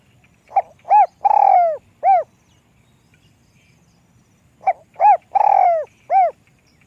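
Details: Spotted dove, described as having a small, light voice, giving two full phrases about four seconds apart. Each has a quick soft note, an arched coo, a long wavering falling coo and a final rounded note. The background is quiet.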